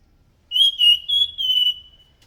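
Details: Lure song of a thrush meant to attract others of its kind: four loud, sustained pure whistles on one high steady pitch, each about a quarter second, the last trailing off softly. Quiet background.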